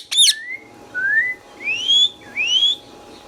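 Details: Indian ringneck, a green talking parrot kept as a pet, opens with a shrill squawk, then gives four clear whistled notes, mostly rising, one after another every half second.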